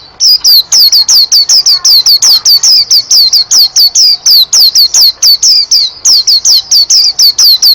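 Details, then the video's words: White-eye billed as a national champion singer: loud, sharp, downslurred whistled notes repeated rapidly, about three or four each second, in a long unbroken run, harsh and distorted at close range. "Pleci Juara 1 Nasional pleci Gacor juara nasional teler gacor ropel"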